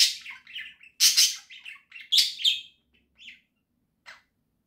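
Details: Budgerigar song from pet birds in a house, October 2024: loud rasping, buzzy chatter in a few dense bursts, then fading to isolated short chirps.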